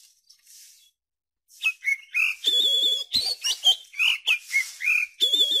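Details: Oriental magpie-robin song played to coax young birds into opening their beaks and singing: a brisk run of sweet whistled phrases, rising slurs and warbled notes, beginning after a short quiet pause.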